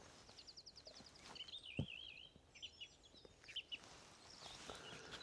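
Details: A song thrush, singing at a distance among many birds and identified with a bird-ID app, gives a quick run of repeated high notes, then a rolling warble, over steady outdoor noise and a dull thump.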